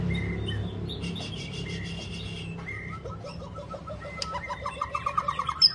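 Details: White-rumped shama singing long, varied phrases: mixed whistles and buzzy notes, then a quickening run of clear repeated notes that grow louder toward the end, over a low hum.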